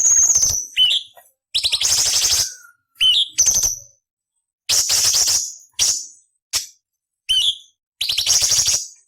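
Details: Cucak cungkok training song in rough beset nyerecet style: about nine short bursts over nine seconds, each a sharp high rasp or quick downslurred whistle, with silent gaps between the louder scratchy phrases.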